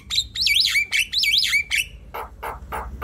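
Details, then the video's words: Javan myna chattering song, played to prompt a silent bird to sing: repeated warbling, undulating whistled phrases with sharp clicks between them, followed by three lower, harsh rasping notes. "Ocehan jalak kebo"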